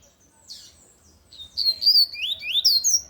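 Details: Lined seedeater, known in Brazil as coleiro de gola or tui tui, singing loudly: after a faint opening note, a rapid run of high, clear, swooping whistled notes, several rising and falling, delivered in a bright continuous phrase.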